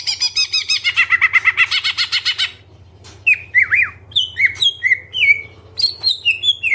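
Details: Gacor greater green leafbird in full isian song, starting with a rapid harsh rattle, then after a pause a sequence of sharp slurred whistles and chirps at varying pitches, low hum behind.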